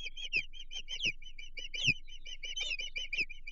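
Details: Osprey at a Chesapeake nest on 15 June 2023, calling as a stranger approaches, with a bluefish at the nest: rapid, high, whistled chirps, many slurring downward, in an uneven, excited series, with soft low thumps beneath.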